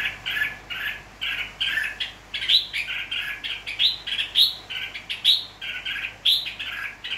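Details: Red-whiskered bulbul, a tame wild-caught bird from Nghệ An, recorded 29 April 2024, giving quick, bright chirping phrases at a steady, bouncy pace, with sharper rising notes every second or so.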